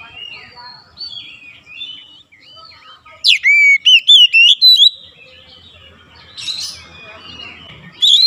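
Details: Oriental magpie-robin song for provoking other magpie-robins: soft, distant warbled phrases, then a sudden loud two-second burst of sharp upswept whistles and clipped notes, followed by quieter twittering.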